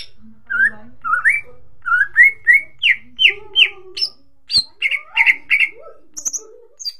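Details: Greater green leafbird song used as a lure to get other birds singing: a lively, varied string of rising and falling whistled notes, some paired, about three per second, with a sharp click midway and scattered high chips.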